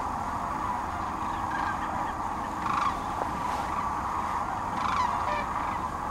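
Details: Sandhill cranes staging on the Platte River, central Nebraska, in mid-March 2009 on northward migration; nearer birds give loud, rattling bugles near three and five seconds over a thick background chorus of the flock.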